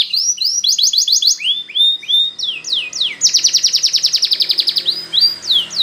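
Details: Singing Spanish Timbrado canary used to train canaries: sweeping notes in pairs, a short trill, sliding whistles, then a loud rapid rattle ending in single downward swoops.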